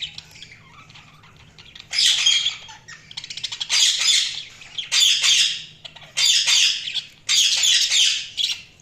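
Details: Budgerigars chirping in bursts of loud, scratchy, buzzy squawks about every second, each burst a rapid chatter of harsh notes, separated by quieter pauses over a low steady hum.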